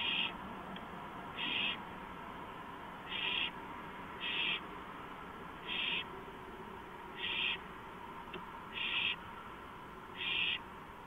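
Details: Night-time owl on a porch, 2:05 AM, 5 April 2015; eight harsh, breathy screech-hisses, each about half a second long, repeat roughly every one and a half seconds over a low hum.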